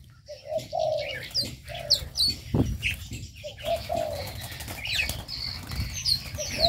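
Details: Birds kept in an aviary: scattered soft hooting notes and high chirps, with a loud burst of wing flapping near the middle and steady chatter throughout.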